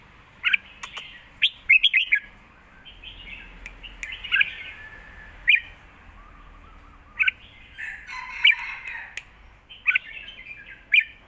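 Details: Red-whiskered bulbuls in cages, song contest in southern master style, phrase against phrase: scratchy, warbled whistled phrases recurring every couple of seconds, with sharp clicking notes and quiet gaps.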